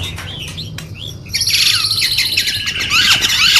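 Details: White-rumped shama song meant to lure and train other birds: a few faint whistles over low hum, then a dense, loud tangle of high chattering and whistled notes.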